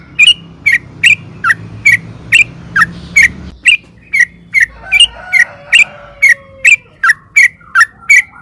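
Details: Trucukan, or sooty-headed bulbul, repeating a sharp, bright chip note about twice a second with steady rhythm, used to set other birds singing.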